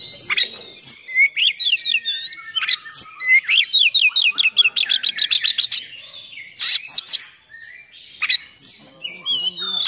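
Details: Oriental magpie-robin in full song, used to provoke and train other magpie-robins: loud varied whistles, rapid rising notes and harsh chattering bursts, delivered almost without pause in a fast, busy stream.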